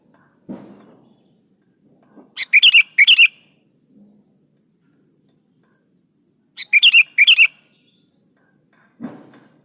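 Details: Vigorous sooty-headed bulbul song used as a prompt for caged birds: two bubbly phrases of four notes, about four seconds apart, with dull low thumps before and after.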